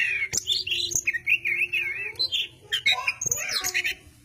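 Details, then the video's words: Oriental magpie-robin in full song: quick bright whistles and trilled warbling phrases mixed with sharp clicks and high swoops, over a continuous low tonal hum. "Burung Goci / kacer Gacor corrr...."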